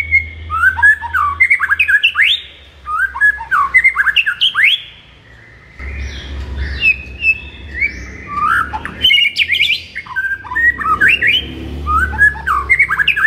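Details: White-rumped shama (murai batu) singing in the morning, a masteran recording meant to excite a caged bird: loud varied whistled phrases with squawky, scratchy notes, repeated in bursts, with a low electrical hum underneath.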